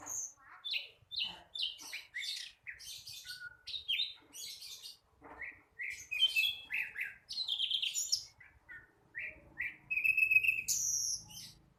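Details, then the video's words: Flycatcher, a young bird still learning its song, chirping almost continuously: varied short falling notes and buzzy trills repeated several times per second, ending with a higher, rattling phrase. "Sikatan londo masih belajar bunyi...!!!"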